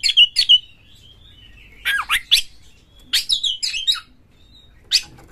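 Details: Singing Oriental magpie-robin used to stir other magpie-robins into song. Paired sharp whistles open, then clusters of steep, rapid up-and-down sweeps and scratchy notes in groups, ending with a single harsh burst.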